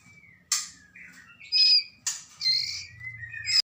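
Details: Fledgling white-rumped shama of the Medan type, Lamongan, East Java, mixes thin wavering whistled notes with harsh raspy bursts and a short, bright, squeaky call, over a low background hum.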